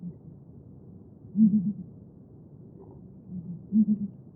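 Southern ground hornbill giving deep, booming calls in two bursts of three hollow notes, about two seconds apart, over a quiet background.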